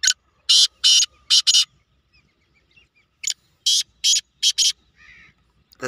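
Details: Competition calling of a black francolin, known locally as kala teetar. Two phrases of loud, grating, buzzy notes, about five in each, are separated by a short silence. Faint chatter rises at the end.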